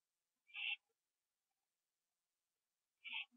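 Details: Owl on a porch at night, 11:15 PM, 21 September 2011, finishing off a gopher. Two coarse, wheezy screeches about two and a half seconds apart, followed by soft low knocks.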